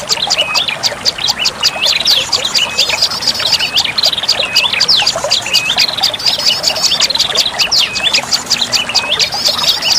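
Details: Lure calling of olive-backed tailorbird: continuous overlapping high chirps and looping whistles, fast and busy, with a brief low hum near the end.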